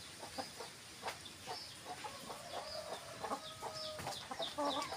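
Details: Domestic hens give a run of short, soft clucks. A few longer, drawn-out tonal calls come near the end over a quiet background hiss.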